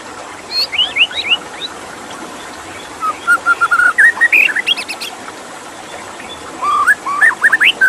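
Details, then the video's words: White-rumped shama singing with water running in the background: a burst of rising whistles, then a run of flat repeated notes climbing into quick chirps, and a final cluster of upward-sweeping whistles. "Suara KICAU MURAI BATU dengan Suara Air"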